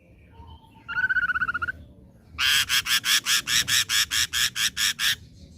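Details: Young wild-caught ashy drongo: a short wavering trill, then a rapid series of about twelve harsh, buzzy pulses, roughly two per second.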